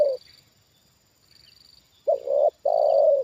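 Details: Spotted dove kept as a trained decoy bird answering a wild bird brought down again; one clipped coo ending, a pause, then a short two-part coo followed by a long even drawn-out coo, with a thin high buzz in the background.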